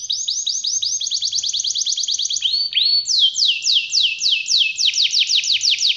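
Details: Canary singing a long rolling song of high, clear downslurred notes in rapid series, switching phrases midway to a brief lower swooping pair before resuming faster, sharper descending trills.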